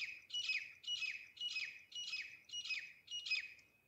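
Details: Grey francolin (local name teeter), a recording meant for hunting: a steady run of six rasping, squawky phrases with a thin whistle inside each, repeated about twice a second without pause.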